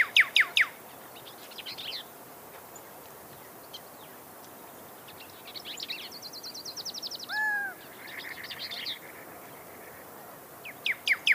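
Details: Pyrrhuloxia (desert cardinal) singing clear, sharp whistled notes and quick trilled phrases, with a slurred downward whistle near the middle; other faint bird notes sound in the background.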